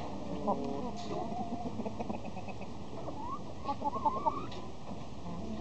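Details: Young Gold Wyandotte chicks, 2020 hatch, make short rising peeps in a quick cluster late in the clip, with softer chatter earlier, all over steady low-pitched background hum.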